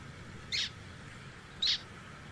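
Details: Two loud, clipped nasal calls from a zebra finch, about one second apart, each sharp and broad-toned, with faint steady hiss between them.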